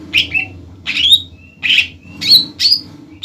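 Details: Greater green leafbird, an untrained bird singing loudly to stir a rival into answering: clipped, scratchy whistled bursts roughly every half second, a few ending in short thin tones, over a steady low hum.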